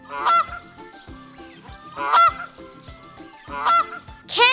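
Canada goose giving four loud, nasal honks, roughly one every one to two seconds, over soft background music.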